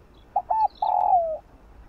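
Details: Spotted dove singing in the morning, a full song of calling, urging and cooing phrases: two short low coos followed by a long drawn-out coo that slides gently downward.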